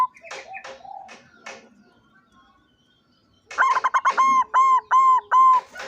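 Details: Perkutut putih lurik, a white striped zebra dove, recorded 16 September 2023: a few scattered clicks and soft noises, a quiet stretch, then a fast run of ringing, arched coo notes in steady succession.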